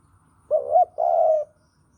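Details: A single Javan spotted dove phrase, used as a lure for trapping: a low, slightly rising and wavering coo, a brief pause, then a longer even coo, clean and close with a quiet background.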